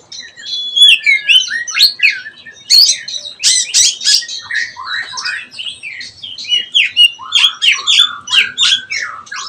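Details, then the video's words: Young oriental magpie-robin in ngeplong song practice, producing a continuous, rapid stream of sharp chirps, buzzy rasps and short whistled slurs, rich and varied throughout with few pauses. "KACER BELAJAR NGEPLONG"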